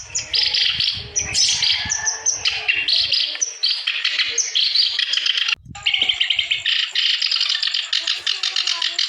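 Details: Clamorous reed warbler singing continuously to prompt other birds that are slow to sing: loud, harsh chattering phrases with sharp high notes, briefly cut off midway, then resuming as a rapid buzzy chatter. Low knocks sound early.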